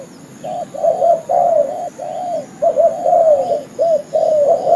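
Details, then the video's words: Lure call of spotted doves for trapping: soft low coos, at first spaced, then merging into longer flowing phrases that waver in pitch. Faint hiss in the background. "suara pikat burung derkuku"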